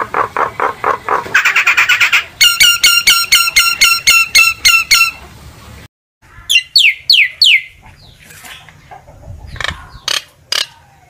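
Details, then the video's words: Common myna song meant to gather the flock: throaty repeated notes, then rapid rattling, ringing note trains, then a run of falling whistles and scattered clicks. "tiếng chim sáo nâu hót gọi bầy kích bổi giọng chuẩn"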